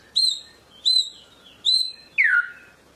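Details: White-rumped shama of the Medan strain repeats a clear, high whistle three times at steady intervals, then ends with a lower, richer note that slides downward.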